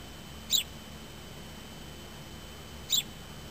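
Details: A house sparrow, as the owner believes, sits on a car's door window for hours and gives two short, high chirps about two and a half seconds apart, over a faint steady hum.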